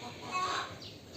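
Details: A hen gives one loud, drawn-out, slightly nasal cackle at mid pitch while laying an egg, over a faint background hiss.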